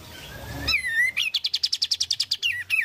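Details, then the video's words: Oriental white-eye singing energetically: a long slurred whistle falls smoothly, then a rapid, evenly spaced series of high clipped notes repeats about fifteen times before closing with downward-curving whistles. "Kicau Kapas Tembak Gacor"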